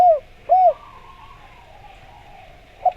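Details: Spotted dove cooing used as a lure to make other doves answer: two low, rounded, falling coos half a second apart, then a long quiet stretch and a faint final coo near the end.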